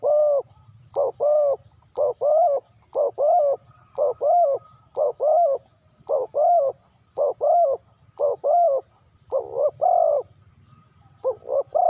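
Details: Long run of spotted dove coos in the three-kuk hanging style, each phrase a short rough note plus a longer one, repeated steadily for twelve seconds above a low background murmur.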